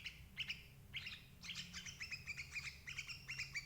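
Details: Sooty-headed bulbul calling, intended to lure adult birds into a trap: a few separate chirps, then quick repeated bright notes in a rapid chattering series, over low hum.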